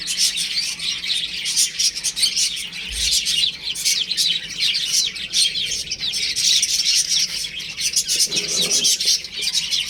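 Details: Domestic chicks at play indoors at home, many shrill peeping calls layered into a steady, busy chorus, with a brief low thump near three seconds and a faint murmur near eight seconds.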